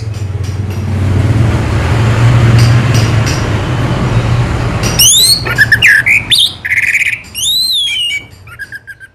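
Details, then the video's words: Anis merah, the orange-headed thrush, heard over a steady low rumbling noise that fades midway, then bursts into loud, sweeping whistled phrases, rising and falling slurs and short buzzy notes in quick succession. "burung anis merah selow"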